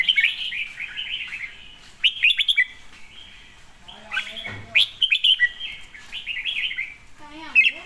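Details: Red-whiskered bulbul giving lively warbled phrases in bursts of quick chirps, separated by short quiet gaps, with a person's voice heard faintly between phrases and near the end.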